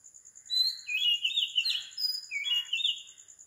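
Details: At 4 am on the tropical island of Sri Lanka, an Oriental magpie-robin gives two bright, fluty whistled phrases separated by a short gap, each rising then falling, backed by a faint steady high pulsing tone.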